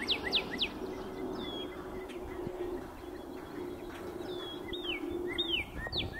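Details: Northern Cardinal at Major Donnely wildlife preserve, South Windsor, Connecticut, 14 April 2024, sings clear, steeply down-slurred whistles: a quick opening trio, then looser slurred phrases, over a steady low hum.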